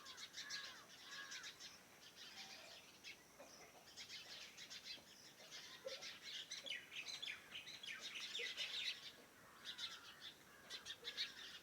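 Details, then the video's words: Birds around a farmhouse in the morning: busy overlapping high chirps and trills from several birds, with a few lower whistled notes beneath. "Sounds of birds in the morning around my farm house !!"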